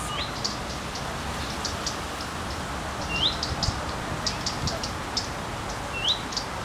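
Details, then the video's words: Female common redstart perched on a branch swaying in the wind, wagging her tail and giving her characteristic 'fuit-tik-tik-tik' call: a thin rising whistle followed by a few high ticks, three times a few seconds apart, against steady background hiss. "Крик горихвостки на ветке дерева"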